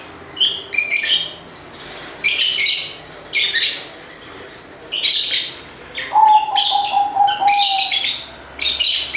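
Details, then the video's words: Lovebirds chatter in busy, scratchy bursts of high chirps separated by short pauses, with a thin sustained whistle-like tone appearing near the end. "Ramai Kicauan Lovebird (Lovebirds Sounds)"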